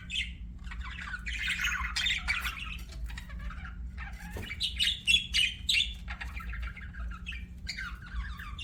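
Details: Softer budgerigar chirping: separated phrases of high twitters, buzzy warbles and short whistles, about three per second, with quiet gaps and a light background hum.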